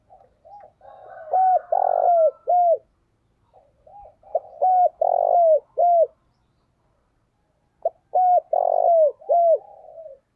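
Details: A spotted dove gives a lively cooing decoy call: three low, mellow phrases, each a quick run of rounded notes with a stressed middle, repeated every three seconds or so.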